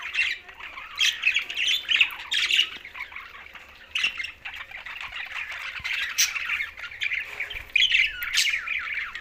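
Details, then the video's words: Several green budgerigars chatter together in a steady, dense stream of high, scratchy chirps and warbled squawks, swelling in short loud bursts roughly every second or two. "Green Budgies Talking"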